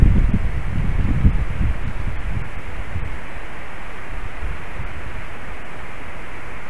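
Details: Low wind rumble gusts at first, then settles into a steady hiss, with a few faint clicks and no animal call.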